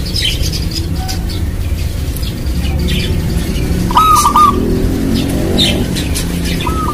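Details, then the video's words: Local zebra dove (perkutut) from Indonesia singing as a lure for other doves. One stuttered coo phrase is followed by the start of another, partly masked by loud low rumbling noise and scattered higher chirps from other birds. "Perkutut Lokal Gacor Buat Pancingan"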